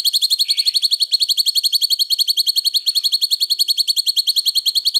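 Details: Five seconds of unbroken rapid trilling by a cucak cungkok, high-pitched notes at a steady fast pace, used as training song.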